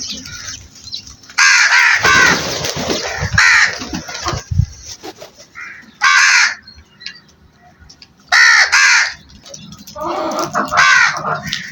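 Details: Crow flock with loud hoarse caws arriving in separated bursts every couple of seconds, some doubled, with quieter scratchy background between them.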